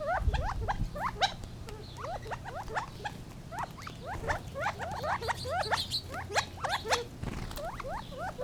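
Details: Gambel's quail in a busy run of rapid upslurred chirps repeated almost continuously, several birds apparently calling together, with a low steady hum and a brief rumble near the end.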